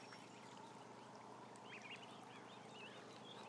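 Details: About a thousand ducklings on a live camera: a few clear high chirps rise and fall among constant soft peeping, set against a loud background hiss.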